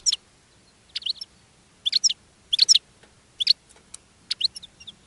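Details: European goldfinch kept in a cage, singing to attract other goldfinches: short clusters of bright twittering chirps repeated roughly every three quarters of a second, with faint low background hum.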